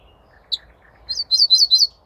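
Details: Ortolan bunting song recorded on 28 May 2024: a single high chirp, then a quick run of four loud, bright, slurred notes repeated evenly in about a second, over a quiet background.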